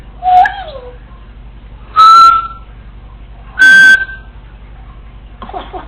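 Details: Caged female Congo African Grey parrot, left alone at home and mimicking learned sounds: a falling whistled glide, then two loud, clear, level whistles about a second and a half apart, ending with a soft rough chatter.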